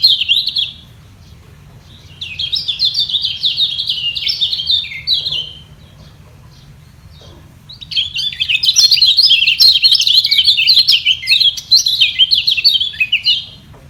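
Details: Singing contest between white-eyes, one holding its spot at the top while another challenges from below, both equally strong; bursts of rapid high twittering warble separated by quiet gaps, the last burst long and dense.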